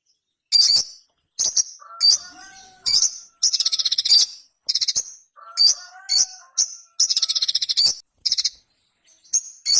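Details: Ruby-cheeked sunbird, known locally as sogon, a small, brightly coloured nectar-feeding bird, singing loudly in a recording used as a lure: high, sharp chirps and buzzy trills in bursts, with lower thin whistles between them.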